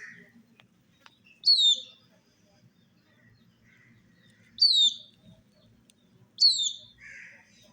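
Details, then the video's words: Young chickens with a hen, drinking water in summer: three bright, steeply falling peeps spaced about two to three seconds apart, softer rougher chirps in between, over a faint low background rumble. "Silly Chicks Chirping Sounds With Murgi Hen colored Chicken are drinking water in verano"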